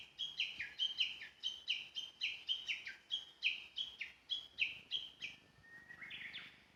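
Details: Unseen Japanese bush warbler in mountain woodland, captured by phone during a walk: a steady string of around sixteen sharp descending notes, ending in a rising buzzy phrase, over faint background noise.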